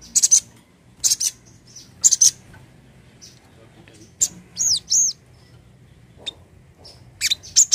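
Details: Crimson sunbird (sogon) recorded as a lure sound: sharp high doubled 'cret' chirps at irregular intervals, then two short, looping, arched whistles, and a final cluster of quick chirps over a quiet low hum.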